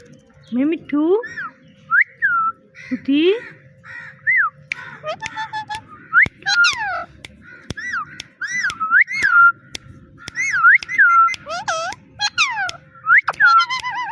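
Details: Talking parrot repeating "Mitthu" and "meow" over and over: rising voiced syllables, then a long run of arched whistled phrases, each climbing then falling, broken by sharp clicks, in a small room.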